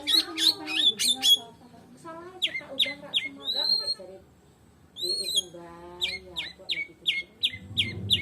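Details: White-rumped shama of the Medan type singing without a rival: high chipping notes, then sweeping whistles and upslurred calls, with short pauses and a low rumbling hum near the end.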